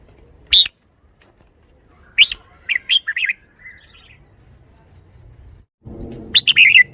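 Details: Caged red-whiskered bulbul in its shaking-bottle song style: a lone sharp note, then a cluster of quick warbled notes, a pause, and a final bubbly phrase over a brief burst of background rumble.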